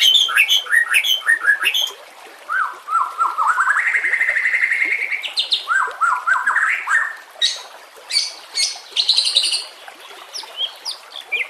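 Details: White-rumped shama training song, rough 'nembak kasar' style: high chattering opening, then a long steady whistled note, a stepped run of rising phrases and sharp high bursts fading into pauses.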